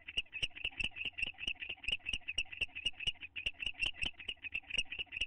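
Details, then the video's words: Owl pair bonding inside a nest box, recorded May 9, 2011; rapid train of high chirping notes, around three per second, varying slightly in loudness, with faint low background hum. "The Owltlaws - Roy and Dale in the box bonding and kissing"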